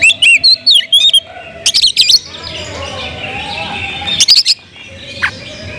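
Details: Oriental magpie-robin delivering loud kemrayak song to provoke other magpie-robins: quick runs of whistled, looping notes and rasping buzzes, then a quieter stretch of faint warbling before another harsh burst, over a low hum.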